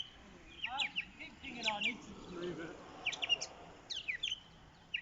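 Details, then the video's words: Birds singing: several short, sharp, high chirps and quick downward-sweeping notes in scattered clusters, with a softer lower warbling phrase near the start over faint background hiss. "LESTENING THE SOUND OF BIRDS SINGING"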